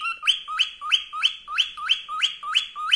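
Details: Pet cockatiel, male, happy and content, repeating a two-part upward-sweeping whistle about three times a second in his favourite "Wiko Wiko" song, very regular and clear.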